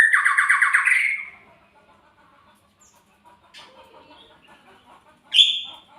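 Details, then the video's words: Magpie-robin giving a single loud, buzzy pulsed rattle at the start. Quiet faint chatter and rustling follow, then a short, sharp high note near the end. "SUARA burung MURAI"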